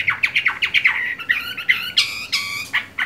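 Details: Chinese hwamei kept as a cage bird, singing strongly during its moult: quick repeated downslurred whistles, then a few harsh, rasping notes and more whistles.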